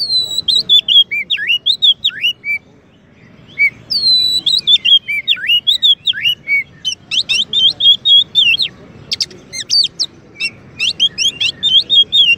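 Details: Oriental magpie-robin, a champion kacer used to tutor and provoke white-rumped shamas, delivers a long varied song of whistled slurs, downward sweeps and rapid chattering notes, with one short pause early on.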